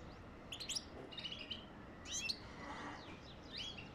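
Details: European goldfinch singing to encourage mating, with repeated bursts of bright, tinkling twitters and buzzy high notes, a brief softer warble midway and fading chirps at the end.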